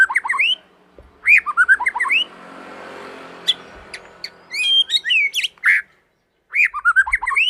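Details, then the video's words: Young white-rumped shama singing to goad other shamas into song: bursts of fluty, looping whistles and sharp high notes broken by pauses, with a passing vehicle rumble in the middle. "Murai Batu Muda memancing burung lain berkicau"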